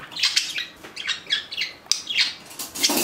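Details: Pet budgerigars, two of which turned four on June 10. Lively warbling: harsh chirps and squeaky notes come in quick succession, ending in a louder raspy squawk.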